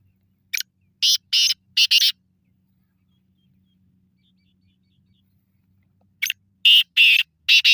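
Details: Black francolin calling twice: each phrase opens with a short note followed by three or four loud, buzzy, grating bursts, separated by several seconds of silence.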